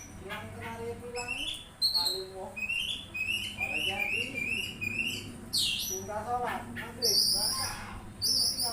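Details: Oriental magpie-robin with busy varied singing: runs of whistled notes, quick chattering phrases, piercing high squeaks and a sudden harsh sweep, over a low background murmur.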